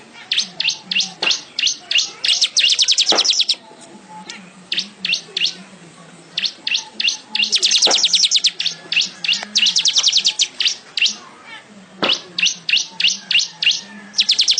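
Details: Weaver song for training caged songbirds: long series of rapid high buzzy trills and chattering notes, repeated in fast rhythmic bursts with short breaks, a few low thumps, and faint background hum.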